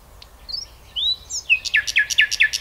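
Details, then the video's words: A common nightingale opens with a few quiet sliding whistles, then launches into a loud, rapid series of identical repeated notes, about four per second. "Соловей поет / nightingale song"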